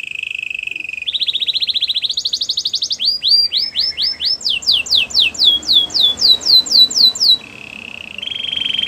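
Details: Canary song meant to prompt a quiet canary into singing: low buzzy rolled trills stepping upward in pitch, followed by a long series of rapid downslurred whistles and a final buzzy roll, with faint background hiss.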